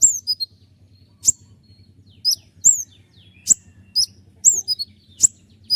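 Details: A common iora in full song gives sharp 'shot' notes in a long roll, used to master other songbirds: isolated piercing high downslurred notes and clicks spaced about a second apart, faint low hum.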